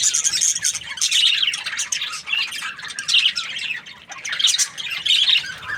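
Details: Happy budgerigar chirping: dense, scratchy warbling chatter with bright squeaks, pulsing in bursts about every second, continuous throughout with no other clear sounds.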